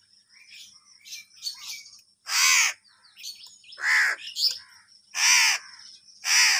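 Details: Angry crows fighting over food: four loud, harsh, rasping caws at irregular intervals, each about half a second long, with softer, scratchier calls in the gaps between them.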